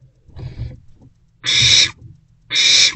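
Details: Wild barn owls at a nest box after 1 am, 7 April 2024, mother perched beside two older owlets while the youngest stays inside. Loud, harsh hissing screeches, two strong bursts a second apart after a fainter one, over low rumbling.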